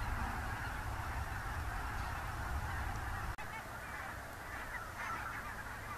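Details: Near Gaat in the Netherlands, October 2015, thousands of wild geese (Barnacle, Greylag, White-front) fly from their night roost on IJsselmeer to fields to feed; a steady, dense wall of cackling calls continues throughout, briefly cut once.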